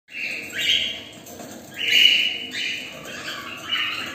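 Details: A large number of cockatiels kept together in a cage give harsh, screechy calls that overlap in loud bursts about every second.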